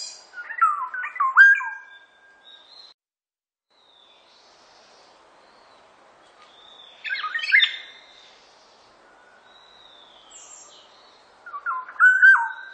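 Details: Black-naped oriole singing three separate bursts of fluid, liquid whistled phrases that swoop between low and mid pitch, spaced by several seconds of quiet background with faint high thin notes.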